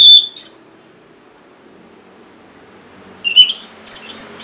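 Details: Orange-headed thrush prompt song for lazy caged singers: a sharp whistled note at the start, a long quiet gap, then a cluster of high slurred and chirping notes at the end.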